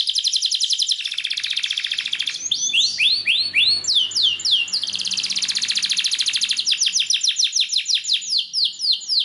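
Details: A Belgian canary sings a song meant to encourage canaries to sing, alternating dense buzzy trills with bursts of rapid descending whistled sweeps, all high-pitched and continuous.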